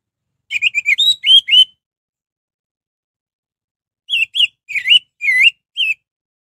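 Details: Orange-headed thrush singing to provoke other thrushes into song: two bursts of rapid, warbled whistled notes, the first about a second long, a pause of over two seconds, then a second burst of about six slurred phrases.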